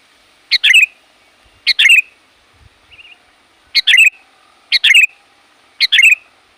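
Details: Loud, tireless sooty-headed bulbul calling to draw in wild birds: five crisp bursts, each a clipped opening note and a tumbling, falling whistled flourish, with a faint soft chirp between the second and third.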